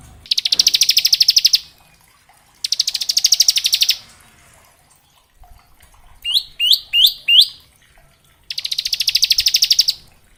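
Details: Bar-winged prinia singing a varied song meant to train young birds: three rapid high buzzy trills broken by four sharp rising upslurred whistled notes, with quiet gaps between phrases.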